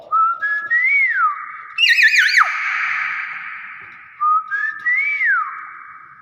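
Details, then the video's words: Nias hill myna giving its natural voice: clear whistled phrases that rise then swoop downward, with a harsh wavering squawk in the middle, the whistled phrase repeated after a short gap, with people talking nearby. "BURUNG BEO NIAS SUARA ASLI"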